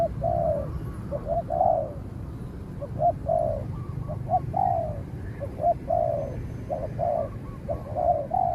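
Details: Spotted doves in a cooing contest: a trained caged decoy bird taken out against a wary wild bird that fights from a distance. Low hollow coos in short two- and three-note phrases, repeated steadily, over a rumbling rural background.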